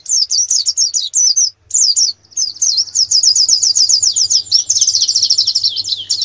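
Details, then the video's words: Competition-training canary song: choppy high phrases with short gaps give way to a long, fast, buzzy trill of tightly repeated notes that runs to the end. "Masteran kenari terbaik untuk persiapan lomba nasional"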